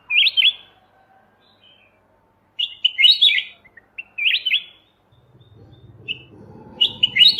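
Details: Master recording of a Kutilang emas mata putih bulbul for songbird training: short chirpy warbled phrases repeated roughly every second or two, with a faint low rumbling hum entering toward the end.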